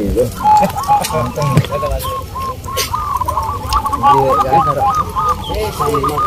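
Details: Local zebra doves singing at a contest in Bantul, Yogyakarta; a busy chorus of rapid, bouncy cooing notes repeated in fast runs, several birds at once, with spectators' voices.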